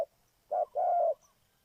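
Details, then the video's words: A single phrase from a spotted dove used as a trapping decoy: a brief low coo, then a longer, smooth, mellow note. "Cu gáy Ninh Thuận,นกเขาใหญ่สายต่อดิน"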